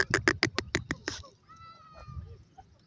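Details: Grey francolin (teetar), a pair calling: a fast run of about seven loud, harsh, clucking notes in the first second, then a thin steady whistle from another sound and quiet background noise.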